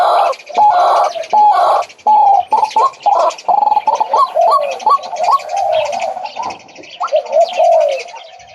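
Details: Male White-breasted waterhen calling through dense, harsh overlapping noise: loud blocky bursts early, then a jumble of short rising notes and lower wavering sounds.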